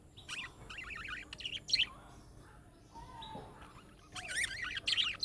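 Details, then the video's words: Budgerigar using young birds' calling-style sounds that make other budgerigars reply: quick zigzag warbled chirps in bursts, a pause with one faint low whistle, then louder chattering at the end. "MUHABBET KUŞU SESİ Kuşunuz Bu sese Karşılık Verecek Kuş Sesi"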